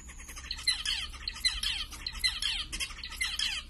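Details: Zebra finches, including white birds; nasal, buzzy honking calls in quick bursts of several notes, repeated about once a second over a low steady hum.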